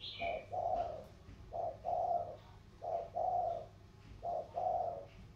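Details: Spotted doves singing in the thổ style, Sóc Trăng delta bird versus Cam Ranh mountain bird, Vietnam. A thin high chirp opens, then four rounded coo pairs, short-long, spaced about a second apart.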